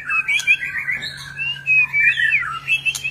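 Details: Many-voiced display song of a White-rumped shama: continuous high warbling whistles in quick pulsing phrases, with a couple of sharp clicks and a steady low hum in the background.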